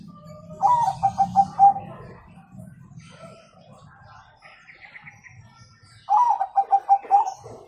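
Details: Zebra dove, a Bangkok-type bird, giving the cooing 'kung' song used to prompt young birds to sing. A fluttering, rhythmic coo repeats twice, with faint voices and background chatter in between.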